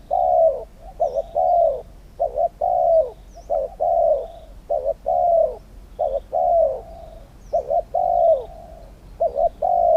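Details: Spotted dove used to decoy-lure wild doves into a trap setup. Mid-pitched cooing phrases repeat steadily, each two quick short notes then a longer drawn, falling croon, with faint high chirps of other birds.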